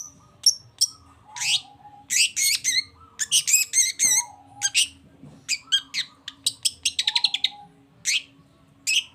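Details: Long-tailed shrike song meant to excite a silent shrike into answering: a varied string of sharp, high chirps, slurred whistles and rapid twittered notes, with a faint low hum in the background.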